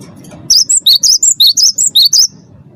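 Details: Champion Cinereous tit song meant to coax caged birds into singing: a run of roughly ten clear, bright whistles swinging between two pitches in rapid, steady rhythm, with a faint low rumble behind.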